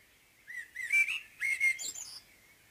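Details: Morning song of a common blackbird: mellow whistled notes rising and falling in a short phrase, finished with a brief high-pitched chittering flourish, against a quiet background.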